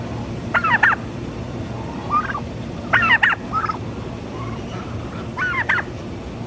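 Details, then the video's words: Turkey gobbling loudly: rapid, warbling gobble bursts repeat roughly every two and a half seconds, with shorter, softer clucking notes between them over a quiet background. "TURKEY TALK"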